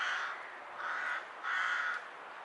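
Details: Rook calling strangely with hiccups, three harsh, nasal caws in quick succession, the last one loudest and longest, each flat and grating, with low steady hiss behind.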